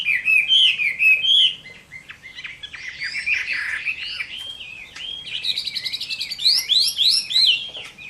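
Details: Fighting song of a Chinese hwamei, summer midday: loud looping whistles at first, a busier, scratchier stretch of mixed notes, then rapid repeated rising whistles in a fast, energetic sequence.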